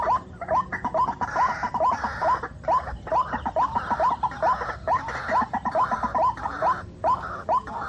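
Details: White-breasted waterhen young in the rainy season, repeated rising squeaks about twice a second, partly masked by a steady hissy noise band.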